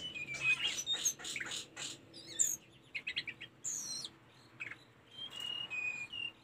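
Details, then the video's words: Caged-bird training recording of tledekan gunung (Sunda robin): an energetic jumble of high chirps and trills, a quick rattling series near three seconds, then slurred whistles and a steady high note. "Mp3 burung telendekan masteran tledekan gunung"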